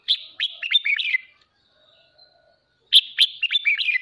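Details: Kích bổi morning song of a pet red-whiskered bulbul for voice training and contest stimulation: a quick jumble of warbled, descending chirps, a near-silent gap of almost two seconds, then another lively phrase.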